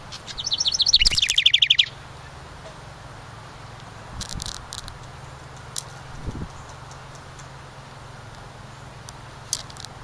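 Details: A house wren, one of a pair nesting in a decorative ceramic birdhouse at a cabin and landing on nearby perches, sings a quick, jumbled cascade of high, buzzy trilled notes for over a second, then scattered clicks and thumps.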